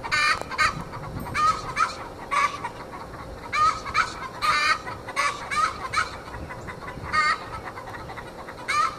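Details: Young Australorp hens, 20 weeks old, in a backyard chorus of the egg song, usually linked to a hen that has just laid: bursts of brassy, nasal cackling, some paired, spaced unevenly over nine seconds.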